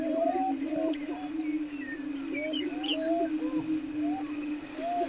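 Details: On a lek near Wray, Colorado, in mid-April 2011, greater prairie-chickens keep up an unbroken low hooting drone, with repeated short whoops and bent cackling notes from multiple displaying birds layered on top.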